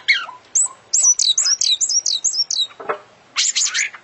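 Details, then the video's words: International champion oriental magpie-robin performing an isian-laden song. A rapid, even series of about eight high, down-slurred whistled notes is followed by a rasping note and a scratchy high flourish. "Full Isian Juara Internasional Burung KACER Gacor"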